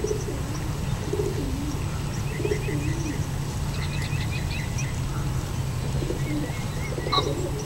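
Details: Pigeons give soft, low coos in three short phrases over a steady low rumble, while small birds chirp and twitter thinly above, at a back fence beside a field with deer; a pheasant clucks nearby.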